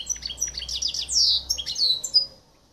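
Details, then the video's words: A silver goldfinch and canary mule from Greece, 2023, delivers a quick twittering run of high chirps and slurred whistles, with one long buzzy descending note near the middle and a fading whistle at the end. "Καρδερινοκάναρο Silver - Ελλάς 2023 | Silver Goldfinch X Canary Mule - Hellas 2023"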